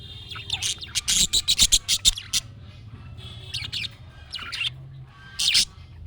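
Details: Budgerigar calls, said to get pet budgies answering at once: a quick run of about ten loud, scratchy chirps, then softer warbling twitters and a final harsh chirp, over a faint low hum.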